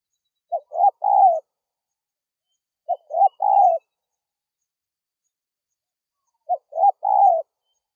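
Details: A wild spotted dove gives three soft, hollow coos, each a short note followed by two longer rolling notes, repeated at uneven intervals against a quiet background; a call used to lure wild doves.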